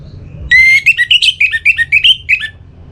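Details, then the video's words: Caged-style orange-headed thrush from northern Bali, breeding condition, calling a rival: a long sustained whistle followed by about ten quick, bright, wavering notes jumping up and down, lasting two seconds, low rumble beneath. "ANIS MERAH Gacor Pancingan Birahi & EMosi Burung || Kicau memanggil lawan"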